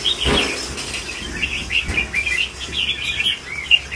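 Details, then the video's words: Mature red-whiskered bulbul singing in the super lân bổi style: a steady run of short, bright, warbled phrases, high and liquid, following one another with little pause, punctuated by soft low thumps. "CHÀO MÀO SIÊU LÂN BỔI GIÀ"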